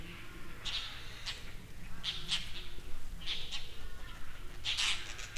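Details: A Dollarbird in Kangwon-do, South Korea, gives harsh, rasping, chattering notes in short bursts about once a second, over a steady low rumble of wind.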